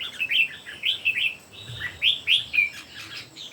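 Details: Three red-whiskered bulbuls singing against each other in competition: bright, rapid whistled phrases of short rising and falling notes overlap, with loud bursts recurring about every half second over a soft background hiss.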